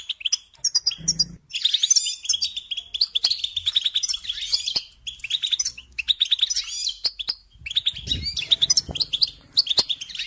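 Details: European goldfinch song, a recording used to teach young songbirds to sing: rapid twittering of sharp chirps and trills, with brief buzzy notes and short pauses near one and a half and seven seconds, and faint low thumps beneath.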